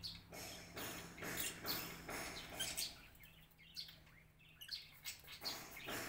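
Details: Captive lovebirds crowding to eat in a planted aviary give rapid harsh chirps in loud bursts separated by short quieter gaps, with thin high squeaks and a faint low hum.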